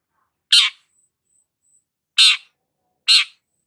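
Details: Long-tailed shrike giving three loud, harsh rasping notes, each short and broad, the last two closer together, with faint thin high tones between them.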